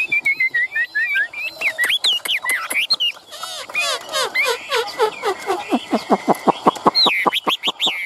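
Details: Caged Chinese hwamei from Vietnam, mixing whistled slurs with a burst of fast chattering, then a series of sharp clipped notes repeated rapidly, ending in high swooping whistles.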